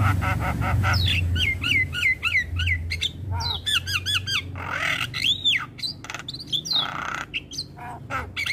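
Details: Javan myna morning song used as a model for young birds: a varied stream of harsh squawks, arched whistles and clipped chattering notes, some repeated in quick runs, loud and busy throughout with low rumbling background noise.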